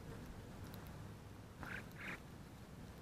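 European green woodpecker giving two short, harsh mid-pitched notes about half a second apart, over a steady low rumble of wind or distant traffic.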